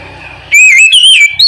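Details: Oriental magpie-robin (kacer) calling to its companion: after a faint lead-in, a loud, clear, wavering whistle starts abruptly, steps up in pitch, breaks briefly, then ends with a short, sharp high note.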